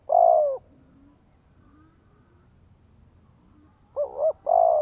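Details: Spotted dove in Vietnam calling to stimulate a male: a drawn-out low croo, a pause of over three seconds with faint background sounds, then a quick double coo and another long croo.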